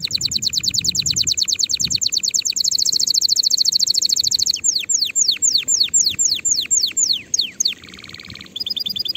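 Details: Canary song used to teach young birds before next season. Long fast high trills continue into sweeping downslurred notes about twice a second, then a short buzzy roll and a high trill.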